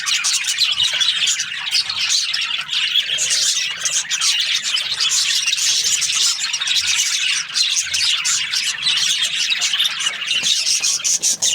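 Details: Many budgerigars, paired for breeding inside an aviary, fill the air with constant high chattering and short buzzy chirps, a dense flock babble with no pauses.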